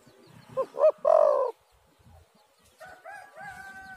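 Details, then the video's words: Spotted dove used as a lure to make doves call: one phrase of two short notes and a long, loud, falling coo, then after a pause another bird's drawn-out, nasal, harmonic calls. "tekukur super gacor suara burung derkuku"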